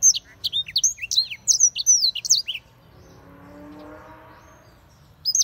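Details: Black-throated canary singing a fast run of high, sharp notes, many swooping down or looping, for about two and a half seconds. A quiet gap with a faint low hum follows, then the notes start again briefly at the end.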